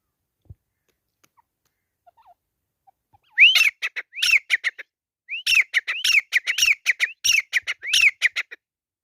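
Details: Grey francolins fighting give loud, harsh bursts of arched, screechy notes in quick rapid series, after a quiet opening with a few faint clicks.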